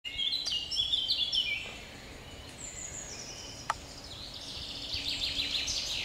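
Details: Common Chaffinch singing in a forest where two wild boars were also present, 30 May 2021: a quick descending series of bright notes falling over about 1.5 seconds, followed by thin high calls and overlapping chirps from other birds.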